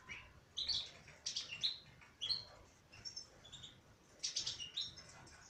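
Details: Female European goldfinch giving clustered high, tinkling chirps in short bursts over a faint hiss of background noise.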